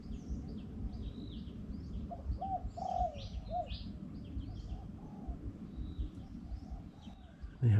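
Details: A few soft, low coos from a Spotted Dove midway, in deep mountain forest in Thailand, amid high chirps of other small birds and a steady low background rumble.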